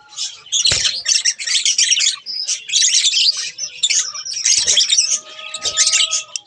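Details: Two pet budgerigars chattering: fast, gravelly warbles and high chirps run together, with a few clear whistled notes and soft low knocks in between.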